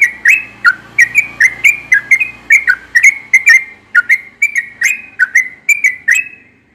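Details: Morning song of a yellow-vented bulbul, a bird said to sing often at that hour with a melodious voice. A steady, bubbling run of clear whistled notes, each with a short downward slur, repeats without a break for nearly seven seconds.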